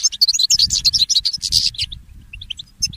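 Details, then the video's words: Early-morning song of a goldfinch mule, the goldfinch hybrid: a loud, fast, jumbled twittering warble of high tinkling and buzzy notes for nearly two seconds, then sparse separate chirps, over soft low background noise. "The inspiring Motif of the Mule Goldfinch"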